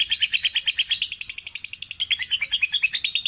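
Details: Lovebird pouring out a dense ngekek chatter, with buzzy high-pitched notes repeated about three times per second, some brighter accented notes near the end, and a quiet background.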